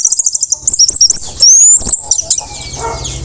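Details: Orange-headed thrush after moulting, singing teler-style for young speckled thrushes to learn from: fast high chattering notes, a loud rising-and-falling sweep, then a long thin whistle sliding slowly downward over a faint low hum.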